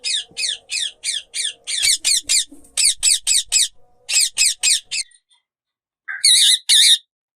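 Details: Ringneck parrots kept as talking pets, said to speak Urdu and Hindi, let out a rapid run of harsh high screeches, about three a second for five seconds, then two louder rasping squawks after a pause.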